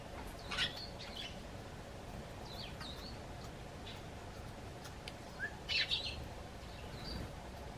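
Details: Eurasian tree sparrows hopping onto a garden bench and calling to their human visitor: scattered short chirps and twittering notes, a denser cluster near the end, over low constant background noise.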